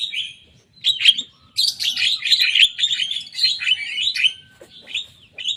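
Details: Young Javan myna singing energetically and mimicking rivals' songs: dense bursts of scratchy, chattering notes and short whistles, high-pitched, in several phrases separated by brief pauses.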